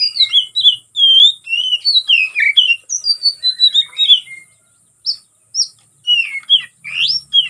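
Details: Kacer or oriental magpie-robin fighting song, used to provoke rivals: dense rapid sequence of whistled slurs and chirps, a short silence, then scattered sharp upsweeping notes.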